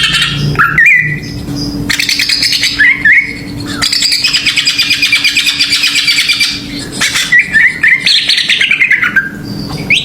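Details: Greater green leafbird lure recording meant to rouse other birds: short whistled flourishes alternating with a long, harsh, rapidly pulsed buzzy stretch, then descending whistled runs, with a constant low hum underneath.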